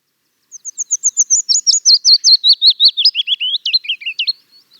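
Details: Willow Warbler, a bird of wooded habitats, singing a pleasant warble: a fast run of about twenty high, slurred notes that starts thin and soft, swells, and steps gradually downward in pitch over roughly four seconds.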